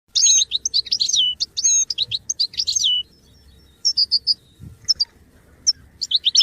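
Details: Goldfinch song offered for song training, with bright twittering phrases and quick liquid trills high in pitch, a pause near the middle, then scattered short chirps and a few more notes toward the end.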